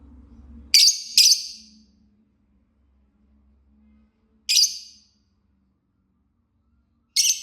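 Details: Lovebird singing and chirping: harsh, screechy, broad-band chirps, a quick pair followed by two single calls spaced about three seconds apart, over a faint low hum.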